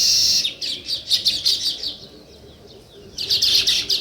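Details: Chirping sparrows, given also as weaver birds, heard in nature: bursts of crowded high chirps in quick pulses, a quiet pause of about a second, then another loud burst of busy twittering.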